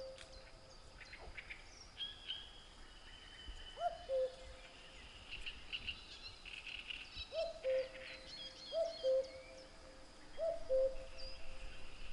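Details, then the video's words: Common cuckoo calling cu-coo about four times at irregular intervals, quieter and farther off, each call a higher note dropping to a steady lower one. Assorted small birds twitter and chirp throughout against a rural backdrop. "Kuckuck | cuckoo | cuculus canorus | Gesang"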